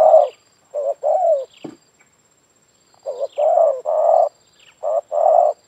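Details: Spotted dove in a yard, its call a lure for other doves. Loud, hoarse coo phrases come in bursts of short and long notes, with a brief pause mid-clip and faint chirping behind.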